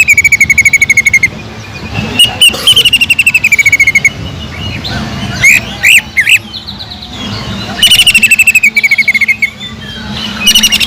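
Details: Training lure from a greater green leafbird with kingfisher imitation filler: rapid, machine-like trills of quick repeated notes alternate with scattered sharp whistles and twisting chirps, over a steady low background hiss.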